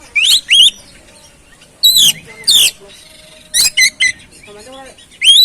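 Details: Oriental magpie-robin song used as a lure to stimulate another bird that has stopped singing or is stressed. Loud whistled phrases, some rising and some falling, come in short bursts separated by quiet gaps.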